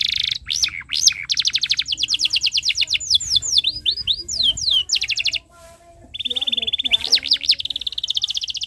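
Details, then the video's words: Young birds' tutor song of a canary: rapid high trills and falling sweeps, a short pause, then a steady flat trill broken by upward looping notes. "Suara Burung Kenari ● Masteran Kenari Paud Belajar Bunyi | Kenari Gacor Cuit Cuit Panjang"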